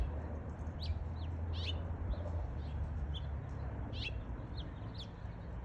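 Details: Two house finches fighting over a tree branch: short, sharp, high chirps with quick downward slurs, given in scattered bursts over a steady low rumble.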